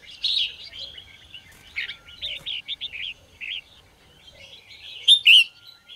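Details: Red-whiskered bulbul morning song: a series of short, clipped whistled notes in a quick string, ending in a loud, rising-and-falling whistled phrase.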